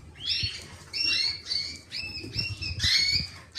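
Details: A creamino canary sings repeated, even, whistled notes, several held flat tones roughly every half second, then a brighter rising phrase, over low rumbling noise.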